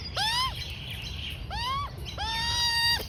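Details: A juvenile female Australian magpie, about 4–5 months old, being fed rolled oats by her mother, gives three drawn-out, nasal, whining begging calls that rise, hold, then drop away, over a steady low background rumble.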